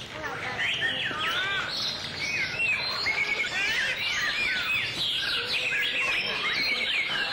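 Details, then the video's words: White-rumped shama singing in display, loud varied phrases of looping whistles and quick rising and falling notes that barely pause. "Shama's Song-Display"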